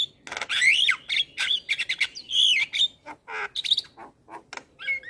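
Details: Song of a male Javan myna for teaching juveniles, opening with looping whistled phrases and buzzy notes, then broken harsh clicks and chatter, ending on a short two-part whistle.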